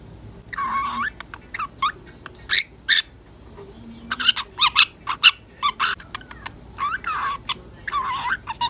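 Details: Indoor pet budgerigar, a female of ten months, talking in copied speech learned from a fellow budgie; bursts of raspy babble mixed with sharp high clicks, coming in uneven clusters.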